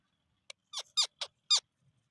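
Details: Parrot giving its natural calls: five sharp, squeaky, high-pitched notes in quick succession over about one second, each a short burst sweeping downward, with a quiet, still background.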